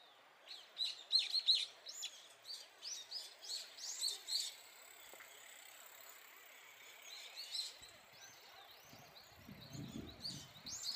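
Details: Brown-eared bulbuls calling loudly while feeding on nectar in a blooming cherry tree in Japan: a run of sharp, high chirps and short downslurred notes in the first half, then scattered squeaky calls; faint low rumble near the end.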